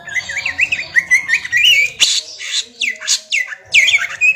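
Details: A young greater green leafbird delivers ngentrok song, wavering whistled phrases running together, then loud separate sweeping notes and harsh squawk-like calls repeated about every half second.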